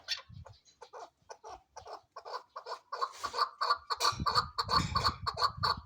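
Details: Chukar partridge (Alectoris chukar), tagged as female, a hunting chakor, gives a steady run of hoarse clucking chuck notes, a few each second, growing louder and denser toward the end over a low rumbling background.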